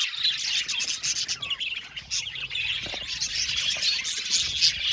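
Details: Budgerigar flock in an aviary colony, a dense, continuous mass of high, warbling chirps and short squeaky twitters overlapping from many birds, with rapid bursts and a few clearer rising and falling whistles.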